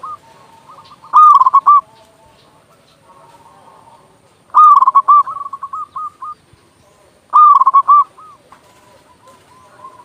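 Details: Zebra dove of local stock, loud and eager, played to lure doves or start quiet birds singing. Three strong rattling coo bursts about three seconds apart, each followed by lighter repeated coos, with distant cooing between.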